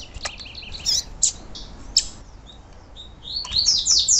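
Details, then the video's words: Female Yellow-bellied Seedeater calling, a call used to excite captive males: high, thin chirps and short buzzy notes at an irregular pace, ending in a quick run of sharp twitters. "Piado de Fêmea de Papa capim Para Esquentar Papacapim"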